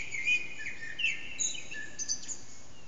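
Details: Short burst of Eurasian blackbird song at roughly 4:30am, echoing through a backyard, recorded on an HTC Desire: mellow whistled notes mixed with thin high squeaks in quick succession.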